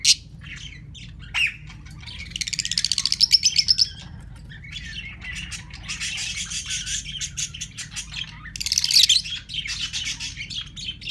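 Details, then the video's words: Captive lovebirds, two newly bought pairs, vocalising outdoors: a rapid series of repeated clicking chirps, then long harsh, raspy squawking stretches and scattered shrill notes, with ring-necked parakeets also kept nearby. "Lovebirds Singing and Making Noises"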